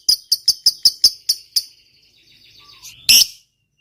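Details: Lovebird giving a long chattering trill, meant to provoke other lovebirds into answering: a run of seven sharp, high, evenly spaced chirps, then a faint buzzy trail and one loud harsh burst near the end.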